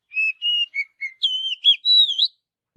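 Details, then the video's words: Oriental magpie-robin singing naturally in forest: a run of clear whistled notes, first short level whistles, then longer sliding and warbled phrases rising higher, all on a quiet background. "Kicauan Kacer Alami Di Hutan"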